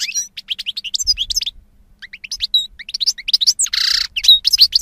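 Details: European goldfinch (jilguero) song: rapid high twittering phrases of slurred chirps and trills with a brief pause, ending in a buzzy rasping note before more twitters.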